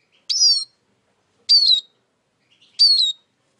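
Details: Three bright, descending whistles from a Eurasian siskin, evenly spaced roughly every 1.3 seconds, in clean quiet surroundings.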